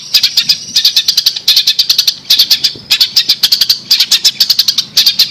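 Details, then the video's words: Long-tailed shrike chirping for training birds: steady series of sharp high chirps in clusters of three to five, brief pauses between clusters, faint low hum behind. "MASTER BIRD CHIRPING THE LONG TAILED SHRIKE"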